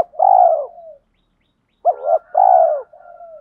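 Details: Male and female spotted dove decoys, kept for training, give an urging fight coo. A long, husky, falling coo trails into a soft tail. Then comes a short doubled note and another long coo, with a faint thin steady tone behind.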